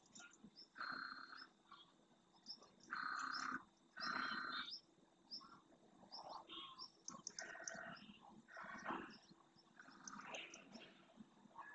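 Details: Large flock of wintering greylag geese in flight, returning to a lagoon in early morning light over the marshes of Doñana National Park, Spain. Loud nasal honks come in bursts, several birds calling over one another, with quieter calls between.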